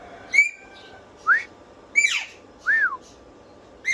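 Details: Parrot whistling, with short clear notes: a flat whistle, a rising upslurred note and an arched note, separated by harsh broadband squawks, in a quiet indoor setting.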